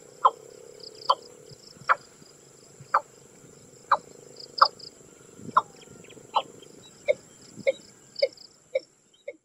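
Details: Common moorhen (Gallinula chloropus), call.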